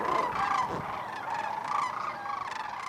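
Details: Sandhill Cranes in Iowa grassland give overlapping rolling, trumpeting calls, a raucous chorus of rattling bugles, with faint background noise.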